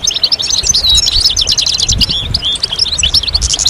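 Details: European goldfinches chattering as a group, mating and readiness calls that draw males out of silence. Quick bright twitters and short whistled slurs form a dense, unbroken tinkling stream.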